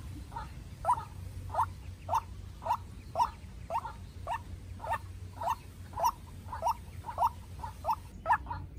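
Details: White-breasted waterhen, young decoy versus wild bird in a fierce calling duel: a long, insistent series of clipped harsh notes, roughly two each second, fairly even in strength.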